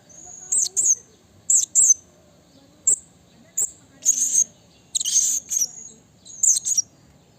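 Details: Blue-crowned hanging parrot in the wild calling to a rival, used as a lure and training recording: paired piercing high squeaks and longer buzzy shrieks at irregular intervals, quiet background between.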